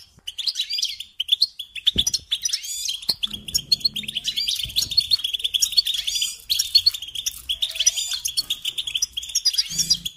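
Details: Extended goldfinch song: a long, energetic stream of liquid twitters, trills and buzzy flourishes with hardly a pause, plus a few faint low knocks.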